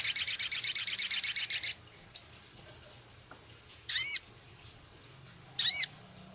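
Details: Male Javan cochoa in full song with minivet-like mimicry: a fast, even train of high ticking notes lasting nearly two seconds, then two separate high, sharply down-slurred chattering phrases.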